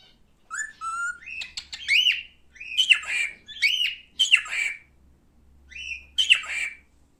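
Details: Pet male cockatiel producing a run of short whistles that turn into repeated harsh, slurred calls, with a pause before a final burst.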